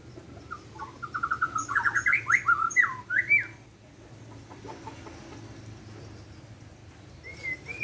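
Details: Morning song of a Borneo white-rumped shama: quick run of clipped whistles building into looping, slurred phrases for about three seconds, followed by quiet with a single rising whistle near the end.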